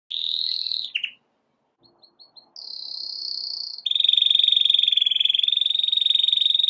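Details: A Belgian canary sings a loud, varied song of bright whistles, brief pauses and fast rolling trills, a powerful song played to teach young birds and stimulate females.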